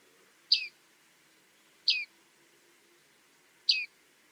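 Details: Bearded reedling (bearded tit) calling: three clear, high, downward-sliding ping notes spaced about one and a half seconds apart, with a faint low hum underneath.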